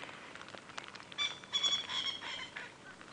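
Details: Coqui Francolin with copper-gold head, near Buffelshoek Dam on a sunrise safari drive, 26 January 2017, gives harsh, scratchy bursts in a quick series: its non-coqui call, thought to be a territorial call.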